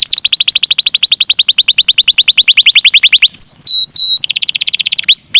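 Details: Canary voicing cengkok mewah, the ornate style used to set other canaries singing. A long, fast trill of falling notes runs for over three seconds, then a few flat whistles give way to a dense, high roll.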